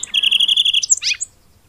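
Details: Song sparrow trill: a fast, even train of about a dozen identical notes over less than a second, then a short buzzy descending flourish, followed by silence.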